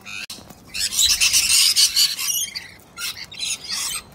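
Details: Corellas in the rain as one delivers a kick to another: a dense run of grating, broadband screeches lasting about two seconds, followed by shorter harsh squawks.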